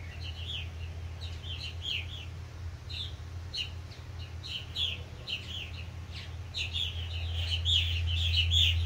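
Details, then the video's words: Adults coaxing new purple martin fledglings: busy stream of liquid chirps and croaky warbles, about four notes a second, growing louder toward the end, with a steady low mechanical hum behind. "Purple Martins encouraging the new fledglings"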